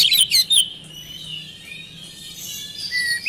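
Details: Oriental magpie-robin lure song meant to set quiet birds singing. Quick high chirps and whistles burst at the start, then fade into a faint thin whistle before a brief rising note at the end.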